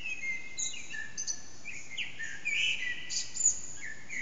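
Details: Eurasian blackbird singing before dawn, around 4:30am, in an echoing backyard, out of sight, HTC Desire phone: softer fluted phrases rising and falling, with brief high chirps and steady background hiss.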